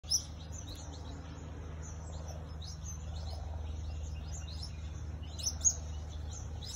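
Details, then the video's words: Elegant parrot calling: a scatter of thin, high chirps and short tweets across the clip, with two sharper, louder notes near the start and near the end, over a steady low rumbling background. "Elegant Parrot"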